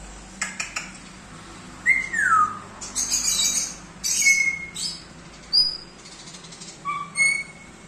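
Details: Fully tamed, talking pet African grey parrot in Hyderabad, India, giving a falling whistle, clear steady high whistles and harsh clicks and rasps, spaced a second or two apart.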